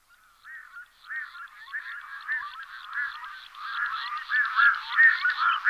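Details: Red-throated loon giving a rapid series of harsh, goose-like cackling notes that grow steadily louder and more crowded, running together into a continuous chatter by the end.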